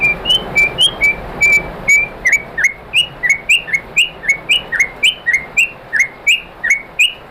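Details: White-rumped shama song for provoking other shamas into singing: clear high whistled notes, then a steady run of short sharp chirps roughly two per second, each with a flicked upslur, over a faint background hiss.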